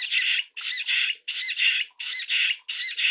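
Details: Jungle bush quail calling a rhythmic series of coarse, squawking double notes, roughly two per second, loud and clear against a quiet background.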